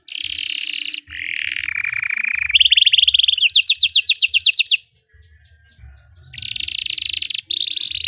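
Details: Belgian canary song for training canaries: varied phrases of a buzzy high trill, a lower sliding rattle, and a run of rapid descending notes, then a brief quiet gap before buzzing trills resume.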